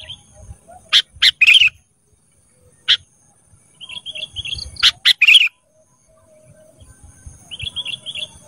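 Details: Ruby-throated bulbul (kutilang emas) training recording for cage birds: sharp, bright note bursts in quick pairs and triplets, separated by short pauses, with soft high trilled phrases and some quiet low background rumble.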